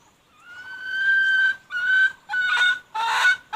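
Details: Wild red junglefowl hen calling, recorded in 2021: a long, clear, even tone held for over a second, then three shorter harsher notes in quick succession, each louder and rougher toward the end.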